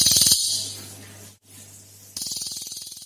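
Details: Cililin singing a lure recording meant to prompt other birds to sing, said to hold three rare sound types: short bursts of fast, harsh, rattling ticks open and close the clip, over a steady low electrical hum.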